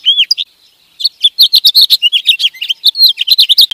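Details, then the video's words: Song of sparrow and goldfinch: it opens with a lone arched whistled note and a brief chirp. After a short pause comes a long, fast stream of tinkling twitters and buzzy chirps. "Cantos de Gorrión y Jilguero."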